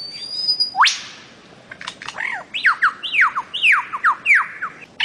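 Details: A bird-of-paradise (cendrawasih) recording tied to Papua and the Aru Islands, Maluku, used as song-tutor audio for cage birds: one sharp rising whistle, then a run of clear downslurred notes, about two per second.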